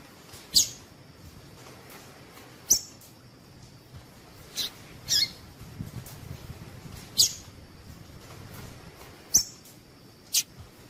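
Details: ['Female double-collared seedeater call, used to stimulate males to sing. Faint, thin high chips come every two seconds or so, about six in eleven seconds, against a soft background hiss.']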